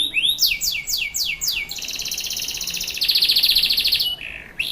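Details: Canary in Pancoran, South Jakarta, singing a luxurious, melodious cengkok song: a string of high falling sweeps about four per second, then a long, rapid, rattling trill held steady, and a final rising note.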